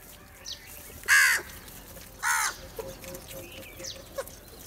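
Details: Crows that have gathered for food give two strong, raspy caws just over a second apart. A few softer clicks and short notes follow.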